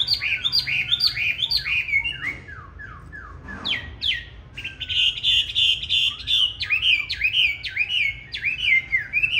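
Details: Fighting song of a green-bean-eyed Chinese hwamei used to coach other birds toward a gentle, unharsh song: quick repeated hooked whistles, a short pause, then a sustained high warble and more looping, swooping phrases.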